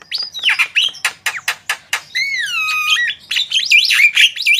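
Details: Javan myna in full song for prompting other birds: loud harsh chatters and clicks, a long drawn-out whistled note that dips and rises, then rapid squeaky, buzzy phrases.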